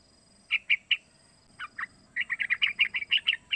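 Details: Three-month-old sooty-headed bulbul whose calls serve as a lure to make other bulbuls sing; three spaced chirps, two slurred notes, then a quick steady run of about ten bright chirps over a low rumble.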